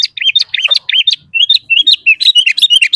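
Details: Sooty-headed bulbul in lively full song, used to lure and provoke caged and wild bulbuls into singing: crisp whistled notes, many downslurred, repeated quickly and tumbling together near the end.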